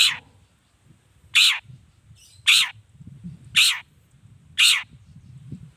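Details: Long-tailed shrike sounding harsh, scratchy notes repeated about once a second to draw replies from other shrikes, with a faint, softer rasp between two of them and a low rumble underneath.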